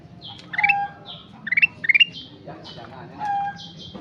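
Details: Sooty-headed bulbul in lively song, giving three quick rising note clusters. Other thin descending whistles and a low murmur of background noise fill the gaps.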